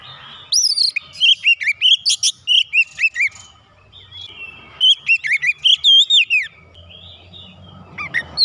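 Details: Oriental magpie-robin stirred into agitation, singing its isian: two energetic runs of sharp whistled notes, many sweeping up and down, roughly a dozen each, separated by a short quieter gap.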